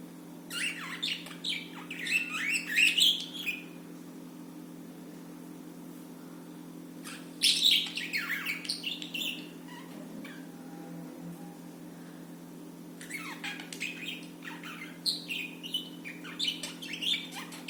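A budgerigar chirps in quick, scratchy bursts of warbled notes, pausing between outbursts.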